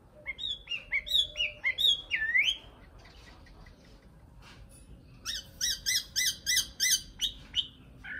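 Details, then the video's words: Nightingale delivering a string of fast, swooping whistles, then a pause, then a rapid series of short, rich, evenly repeated notes, roughly nine in quick succession, ending with a couple of separate whistles. "Best Video Nightingale Song , Sound Image Nightingale"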